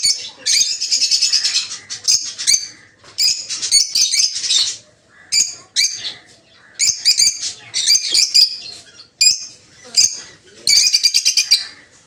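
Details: In the morning in an aviary, captive Rosy-faced (peach-faced) lovebirds of several colour mutations kept for breeding give shrill, buzzy chattering calls in bursts of one to two seconds, with brief pauses between.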